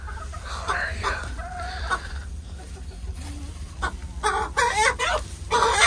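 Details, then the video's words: Backyard chickens greeted by their keeper in the morning, one hen vocal while laying her egg; sparse soft clucks early on, then a burst of loud, harsh, broken clucks in quick succession toward the end. "Cluck cluck! Good morning chickens!"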